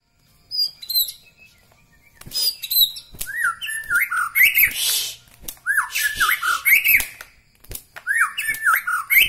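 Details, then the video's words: White-rumped shama from Medan, Bahorok, singing a varied song of rich whistled phrases, slurred notes and harsh rasping bursts, delivered in rapid, loosely spaced runs. "ciri ciri murai batu Medan Bahorok"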